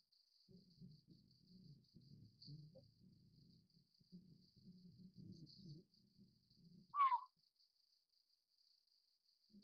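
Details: Collared Scops Owl juvenile, Taiwan's endemic subspecies Otus lettia glabripes, found in broadleaf forest below 1,200 m: a single loud, brief descending call near the end, after low rumbling noise, with a constant high cricket-like trill.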